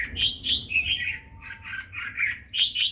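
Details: A Red-whiskered bulbul from a northern Vietnamese bird farm sings short, clear, fluty chirps in quick clusters, with soft low hum beneath.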